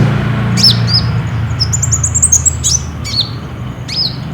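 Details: Caged olive-backed sunbird, ninja type, singing steadily as a lure to set other caged birds singing: bright, high, downslurred chips and short twittered trills in loose bursts, with a constant low machine-like drone underneath.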